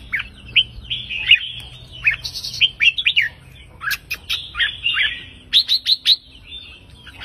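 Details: Red-whiskered bulbul of the counting line, singing 3-4-5 note phrases to stir other birds: groups of bright, upslurred chirps, ending in a fast run of four crisp whistles.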